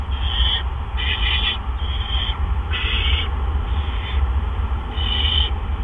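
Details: Barn owls at their nest at 8 PM on April 17, 2013, while adults deliver gophers. Rough hissing bursts of varying length repeat about once a second beneath a strong low-frequency hum.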